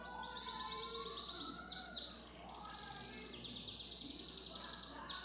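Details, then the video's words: Pet Belgian canary in full song, delivering long rapid trills of sharp, high repeated notes in several runs, with a short dip between phrases and a low background hum. "Meu canário belga canta muito"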